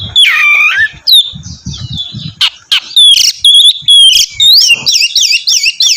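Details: Oriental magpie-robin, a lively singer used to prompt another bird to sing, gives loud varied whistles, slurred rising and falling notes and fast repeated looping phrases near the end, with sharp clicks and low thumps between.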